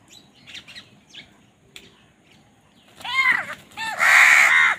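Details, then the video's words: Crows fighting over food: a few faint chirps at first, then loud, harsh, arching nasal calls with rich overtones, two in quick succession, the second long and strained. "Crow Bird Fight for Food | Crow Bird Unity Anger and Crowing Sound"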